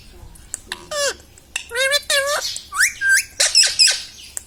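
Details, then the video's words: Pet parrot talking, saying words like "Mummy" and "Papa": a string of clear, harmonic, human-like syllables, each curving down then up in pitch, followed by quicker rising notes and a pair of higher squeaks. "Mittu Bolne Wala Tota || Talking Parrot || Mummy Mummy"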